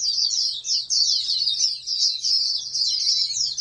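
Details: Short, energetic burst of high squeaky twittering from a bred oriental white-eye, a contest champion candidate, with two brief drops in loudness within the rapid stream of notes.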